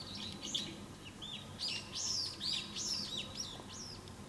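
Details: Loud, shrill calling from a brown-eared bulbul: a run of high, arched, slurred notes given in rapid clusters with short pauses, strongest in the second half, against a faint low rumble.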